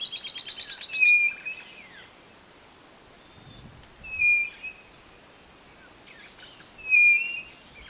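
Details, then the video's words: Song of the white-bellied nothura from northeastern Brazil: a brief burst of rapid high notes, then three loud, level whistles spaced about three seconds apart over a hissing rural background. "CANTO DA CODORNA DO NORDESTE"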